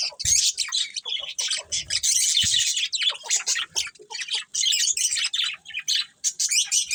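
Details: Budgerigar breeding pair in a colony, chattering busily: bursts of high squeaky chirps and scratchy warbles, several short gaps between bursts, one sharp low knock near the start.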